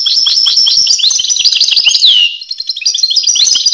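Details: European goldfinch giving a dense, rollicking song of rapid chirps ending in a loud falling slurred whistle, followed by softer, quicker twittering.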